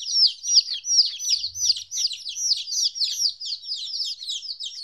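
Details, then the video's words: Baby chickens two weeks old, first time without their mother, calling in a constant chorus of piercing, falling peeps overlapping rapidly, with a soft low thump briefly in the background. "Chicks Chirping Sounds - Baby Chicken Sounds"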